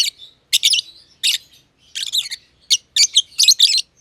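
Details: Masked lovebirds, green personata and green pied personata, chirping in their aviary. Loud, scratchy, buzzing chirps in rapid doubled bursts, interspersed with faint soft twitters, packed densely into a few seconds.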